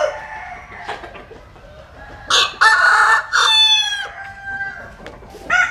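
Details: Rooster enjoying the sun in Vietnam's western region. It crows loudly in rough, buzzy bursts with a sustained ringing middle and a trailing fade. Fainter distant crowing sits at the start and end.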